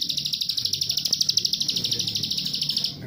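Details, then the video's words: Plain prinia responding within five seconds to a lure call, giving a rapid, dry, tight buzzing trill of about three notes a second, steady and high-pitched, with faint low voices and background murmur underneath. "ciwah manapun 5 detik pasti langsung bunyi,,setelah mendengar pancingan ciwah nembak rapet ini"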